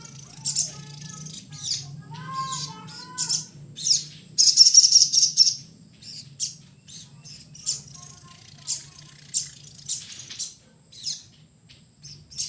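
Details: Little spiderhunter giving rapid, thin, very high chips and short buzzy bursts, often spaced about a second apart, with a brief lower warbled phrase early on and a steady low hum behind.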